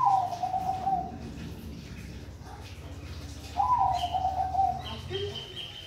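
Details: Zebra dove of the Bangkok type in song, giving two long, purring, trilled coos that dip slightly in pitch, separated by a quiet gap; thin high chirps from other birds and a steady low hum sit behind.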